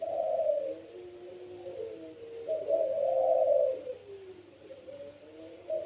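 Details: Puter pelung, a kept Barbary dove said to set other doves calling, cooing in long, low, wavering phrases that swell and fade, two main rolling coos with softer trailing notes.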